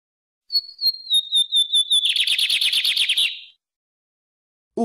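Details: Bigodinho, the lined seedeater: a sliding whistle that steps down into a string of whistled notes, then runs into a fast, buzzy trill, followed by a short low noise.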